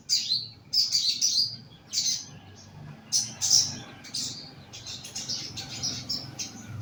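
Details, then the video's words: Young caged bulbul, kept in a lower cage for song therapy, giving short high thin chirps in quick clusters, repeated with brief pauses, over faint low room hum. "BUNYI SOGON MUDA TERAPI SANGKAR BAWAH"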